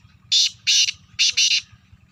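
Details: Black francolin from Sindh, Pakistan giving its grating call: a short raspy note followed by paired harsh bursts, then a further pair, over a faint low hum.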